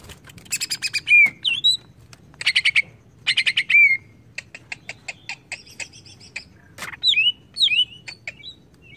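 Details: Greater green leafbird singing as a lure meant to agitate the species: bursts of buzzy rattling notes broken by clear downslurred whistles and high chips, loud and varied.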